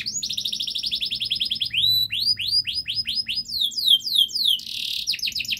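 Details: Long, fast, dense canary song for training young canaries to sing: rapid high trill, sweeping upslurred whistles repeated quickly, fast falling notes, a buzzy burst and more quick trills.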